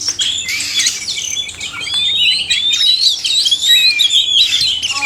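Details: Male and female oriental magpie-robins singing together to encourage lazy caged birds; rapid varied phrases of sliding whistles, scratchy chatter and long upward-drawn notes pour out almost without pause.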